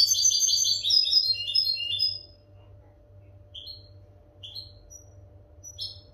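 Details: Tutoring song for captive European goldfinches, opening with two seconds of dense, liquid twittering that breaks off into spaced single high chirps every second or so, over a low steady hum.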